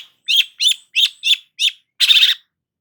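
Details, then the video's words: Long-tailed shrike giving five quick, buzzy rasping notes, then a longer harsh churring burst. "BURUNG CENDET GACOR"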